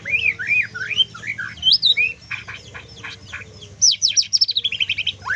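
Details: White-rumped shama in trotol song with full kriwikan: looping whistled phrases, then a fast run of descending chattering notes, about six per second, ending in a falling whistle; steady low hum underneath.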